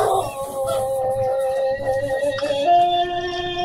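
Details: Pelung chicken from Garut, a breed known for its long crow, giving a sustained, wavering tonal crow that holds steady and then steps upward near the end, with a rich ladder of harmonics and faint background noise.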